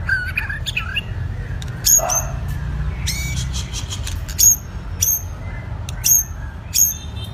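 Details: White-rumped shama, a wild-caught bird of two seasons in training: after a few twisting whistles, sharp high chip notes repeat roughly every half to one second over a steady low hum.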